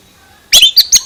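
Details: Brief, loud burst from an Oriental magpie-robin with a strange voice: three quick harsh chattering notes in under half a second, each rasping and slightly whistled.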